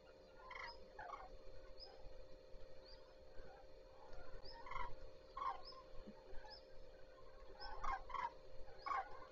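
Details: Common cranes starting their day at Zastawie reservoir on 14 September 2023; scattered, distant trumpeting calls with harmonics, several birds calling at irregular intervals over a steady low background hum.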